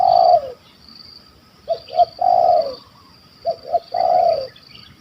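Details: Spotted dove in Malaysia, a wild bird with a big voice that hunters were after, calling in the 'kuk 1 2' style. A long coo ends a phrase, then two more phrases follow, each of two quick notes and a sustained lower coo.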